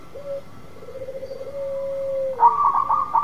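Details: Local zebra dove singing to draw a silent dove into singing. A short clipped note, then a long, low, softly pulsing coo that dips slightly before a loud, rapid, rolling burst of higher bubbling notes. A faint steady hum runs behind.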